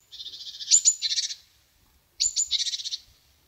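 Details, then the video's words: A black-capped chickadee gives two high, rapid calls, each with sharp opening notes and then a run of buzzy 'dee' notes, about two seconds apart. "chickadee song"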